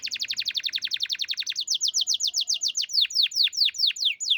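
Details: Champion canary in loud, close song: a rapid rolling trill of high downward-sweeping notes, about eight per second, that shifts midway into slower, broader swooping notes, with a faint low murmur behind.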